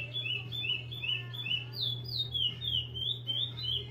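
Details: {'text': "Breeder's chestnut-bellied seed finch in repeater song, clear descending whistles given roughly three a second, a few higher notes midway, over continuous low humming."}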